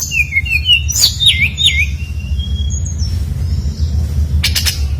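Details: Lively brown-chested jungle flycatcher song played to coax other birds into singing: a quick run of descending whistled notes, then looping slurred phrases, a thin sustained whistle and a brief burst of sharp clicks, over a low rumble.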